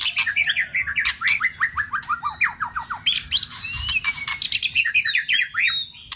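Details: White-rumped shama being trained for contest singing, stimulated into fierce song with continuous snapping: rapid runs of short downslurred chirps repeated several times per second, mixed with sharp broadband clicks and snaps, a few thin high whistles near the end.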